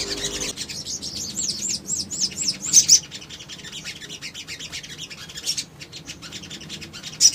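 Little spiderhunter giving a rapid run of sharp, high chips and squeaky notes in quick bursts, with a few louder piercing notes near the end.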